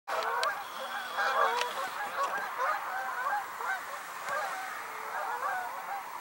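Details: A flock of Canada geese flying past overhead on the Niagara River on November 18, 2022, giving dense overlapping honks, nasal and rising-falling, roughly one a second, that merge into a continuous chorus.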